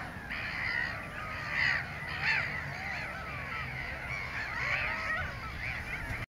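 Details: A dense chorus of Mediterranean gulls, including a ringed adult, at Montreuil-sur-Loir, Maine-et-Loire, France, on 31 March 2013: nasal, mewing calls that rise and fall, overlapping continuously as many birds call at once.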